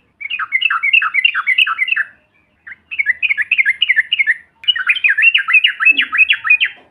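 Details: Lure call of a yellow-vented bulbul, trucukan bahan style, aimed at stirring quiet birds into calling. Three rapid chattering bursts of rolling, bubbling notes come in quick series, with short gaps between them and the last bout the fastest.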